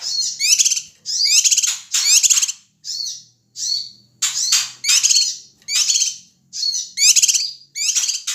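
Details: Male Ashy tailorbird from Sumatra making noisy, agitated calls used to provoke other birds. Rasping, squawky bursts with a rattling edge follow each other roughly every second in a steady, uneven series.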